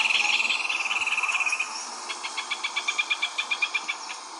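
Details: Rufous hornero, the bird that builds its home of grass and mud, singing a rapid trill of sharp notes that slows into evenly spaced, separate chips over about four seconds.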